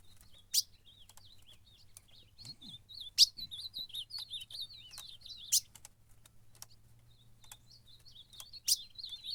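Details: Ultramarine grosbeak in a fight during a contest, singing a wavering, twisting warble of whistled notes, broken by several loud sharp clicks and a faint low hum.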